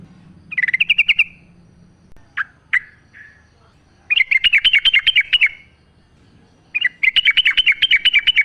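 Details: A wild sooty-headed bulbul in the forest, natural sound for prompting captive bulbuls to sing; long rapid trills of evenly repeated chirps, broken by a few single notes, each burst lasting over a second.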